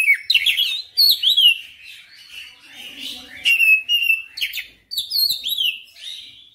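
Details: Oriental magpie-robin pouring out its repertoire in persistent song: loud chirpy phrases about every second or two, with rising and falling whistles and quieter stretches between bursts.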